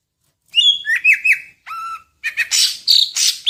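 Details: Song of a Medan-type greater green leafbird packed with imitations: a short silence, then clear ringing whistles with overtones and a steady falling note, followed by loud harsh rasping bursts.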